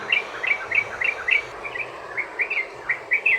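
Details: Sooty-headed bulbul long rolling song used as a lure to get other bulbuls singing: a quick series of short chirpy notes in pairs and clusters, some rising, some falling, with a faint hiss behind.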